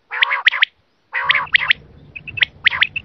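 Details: Quail lure sound for hunting: harsh, rasping bursts, each followed by two or three sharp, high chirps, with short piping notes near the end over a steady low hum.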